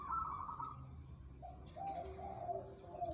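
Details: Zebra dove of a local strain, suited for competition, delivering a trilled coo followed by a run of lower warbling coo notes, with faint background noise.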